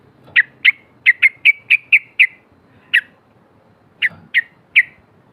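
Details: Female yellow-vented bulbul giving a 'cok cok' call to provoke rivals: loud, sharp, bright chips repeated in an uneven series, seven quick notes, a pause, then a few more, all on a clean quiet background.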